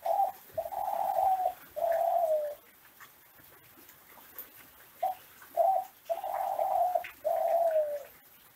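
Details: Kelantan classic ringneck dove bred in Indonesia, its song used to teach other doves: two clusters of low, soft coos, each a short note followed by long, slightly falling purring notes, with a pause between clusters.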